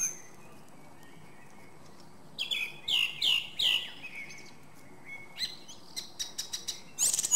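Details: Song thrush singing a phrase of three loud, descending swept notes repeated in a row, then a quick series of sharp chips and a final rich burst.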